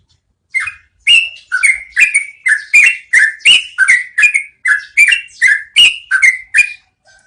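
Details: Yellow-vented bulbul, locally trucukan, giving a long rolling song ('ngeroll panjang') used as training audio for cage birds: about thirteen short bubbly, warbled notes at roughly two per second, alternating slightly in pitch, over a quiet, clean background.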